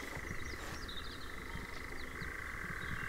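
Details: European nightjar in Ringwood Forest near Verwood, Dorset, giving a steady, dry churring trill that shifts slightly in pitch partway through, with faint chirps from other birds and low wind rumble.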